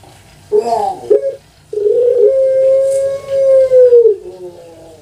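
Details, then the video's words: Captive puter pelung dove from Java, Indonesia, giving its long-voiced coo: a short rising opening note, a pause, then a long, steady, level tone that slides down and ends in a few pulsed notes. The room is quiet. "PUTER PELUNG SUARA PANJANG"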